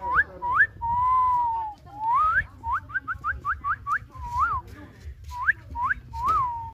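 Common myna giving clear whistles: a long level note, then a quick run of short rising slurred notes and a few dipping whistles, over a low background rumble.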